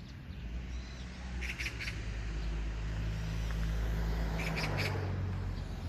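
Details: Magpie calling with two quick groups of three harsh, dry chattering notes, set against a constant low rumble like distant traffic.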